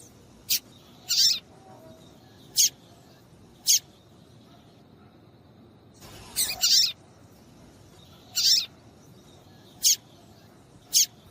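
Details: Female Yellow-bellied Seedeater (papa-capim) calling to stir males into singing for song tournaments: short, sharp, high chips, about eight across eleven seconds at uneven gaps, some doubled, with a brief rustling burst midway.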